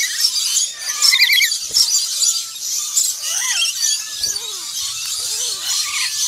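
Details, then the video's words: Black-winged lory giving shrill, squealing calls with short rising and falling notes. The calls come in irregular bursts over a harsh, hissing background. "Black Winged Lory"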